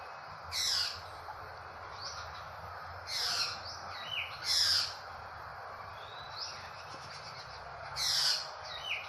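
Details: Drongo, said to resemble a crow, giving loud harsh rasping bursts every two to three seconds, with softer whistled notes between them. A faint insect drone runs throughout.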